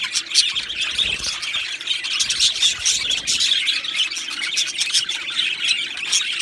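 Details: Two male Australian budgerigars chattering: a continuous, rough, high twitter of chirps and squawks, with louder clusters of notes every second or so.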